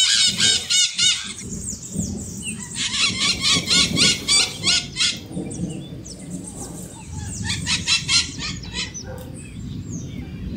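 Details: Maritaca parrot giving long runs of rapid, raucous screeches, pulsing in fast repeated notes, with a deep rumbling background throughout.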